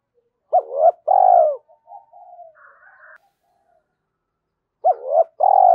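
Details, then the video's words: Repeated spotted dove coos meant to excite decoy doves: a double hooked opening and a long falling coo, softer warbling murmurs, a pause of about a second, then the same phrase again. "Tiếng chim cu gáy thúc + gáy gọi mở lên kích bổi hiệu quả hàng ngày"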